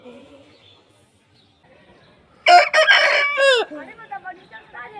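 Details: Slow-motion crowing of an Aseel rooster. Faint low clucks give way to a sudden loud, harsh, broken crow that sweeps downward at its close. Softer, scattered calls follow.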